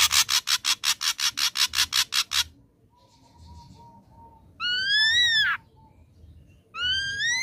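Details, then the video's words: Ashy drongo song played to provoke a response: a rapid train of harsh rasping pulses, then a soft thin whistle, followed by loud whistled notes that rise and fall. "Pancingan Ampuh Srigunting Abu Bakalan Respon"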